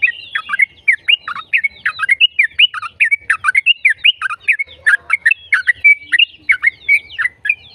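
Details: Energetic continuous song of a yellow-vented bulbul, meant to prompt other bulbuls to sing: dense, bubbling chirps with quick up-and-down slurs, packed closely and sustained throughout.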